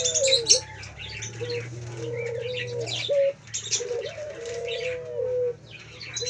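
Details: Male Pelung Barbary dove in song: a series of low, smooth coos, some rising and falling, one long bowed note near the end, amid busy twittering from other birds.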